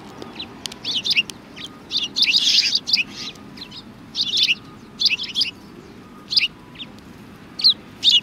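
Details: A group of sparrows chirping at a Tenmangu shrine, Japan, February 2020. Rapid clusters of high, sharp notes recur every second or so over a quiet background.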